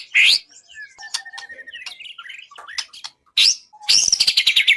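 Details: Contest-training song of a white-rumped shama, a varied medley of short whistles and mixed notes, loud sharp bursts, and a closing run of rapid, evenly repeated buzzy chips.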